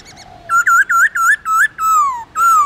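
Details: Singing black-throated laughingthrush, a trained pet bird, in a long slurred forest-voice song: five quick, bouncy whistled notes in a row, then two long, smooth whistles that sag downward.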